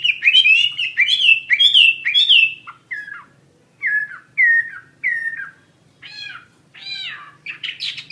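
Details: Chinese hwamei delivering loud rich whistled phrases, then separate short down-slurred notes with pauses between, followed by harsher buzzy rising sweeps; faint low hum behind.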